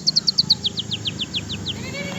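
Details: In Indonesia, a long-tailed shrike in over-excited breeding condition, during afternoon training, gives a rapid run of about a dozen high, downslurred whistled notes that gradually slow, over a faint low hum.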